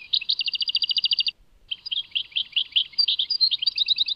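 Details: European goldfinch singing the Tadmait song: a rapid, evenly repeated trill of bright notes for over a second, a short pause, then varied twittering phrases with quick slurred notes and a final chattering run.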